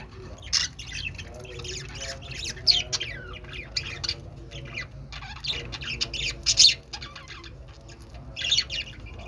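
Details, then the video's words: Budgerigar chattering continuously: dense scratchy warbles, clicks and sharp high squawks with several louder peaks, over a low background hum. "budgie birds | budgie sounds | love budgie | budgie voice"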